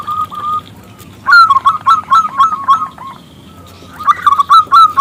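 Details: Local zebra dove calling loudly to draw a male into sounding: clear ringing, bubbling coo phrases in bursts, with a steady tone at the start and faint chirps of other birds.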